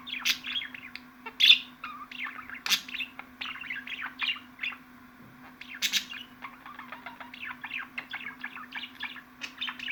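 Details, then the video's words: Budgerigar chatter: clusters of high chirps and buzzy squeaks, a loud sharp note near the start, a quieter lull midway, then the twittering resumes; low hum in background. "MUHABBET KUŞU SESİ"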